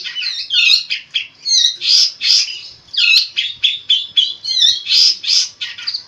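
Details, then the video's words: Cendet, the long-tailed shrike, singing constantly with distinctive mimicked fill-ins; loud scratchy phrases of chirps, rising whistles and rasping notes surge in regular bursts roughly every half second throughout. "burung cendet gacor full isian unik"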